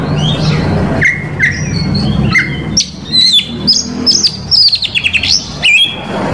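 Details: Oriental magpie-robin song meant to provoke rival males: steady lower whistled notes give way to quick, bright up-and-down slurs and sharp chips, over a low rumbling background.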